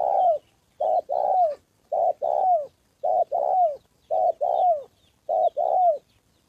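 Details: Spotted dove from Gia Lai, Vietnam, a decoy bird in a trapping session meeting a wild male and female on the 2 September holiday, repeats a two-part coo about once a second. A short note precedes a longer note ending in a downward slur.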